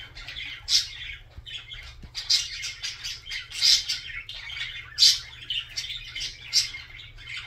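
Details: Lively budgerigar warble, dense gurgling chatter interrupted by loud, bright squeaks about once a second, with soft chirps filling the gaps and a faint low hum.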